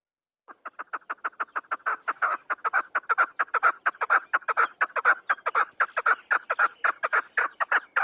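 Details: Afghan chukar partridge (chakor) call: a long, rapid chain of raspy clucking notes, starting softly and growing louder, with a steady pace of roughly two notes each second.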